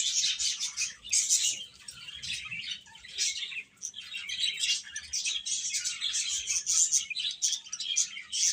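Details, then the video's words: A group of young chickens chirping: shrill, rapid peeps packed closely together in a steady, busy chorus that rises and dips in loudness throughout. "Cute Chicks Chirping Sounds"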